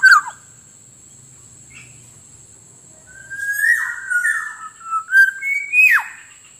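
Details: Black-naped Oriole lure track for attracting wild orioles: a brief slurred note, a pause, then a flowing run of mellow fluted whistles rising and falling, ending in a loud sharply downslurred whistle, with a steady high tone.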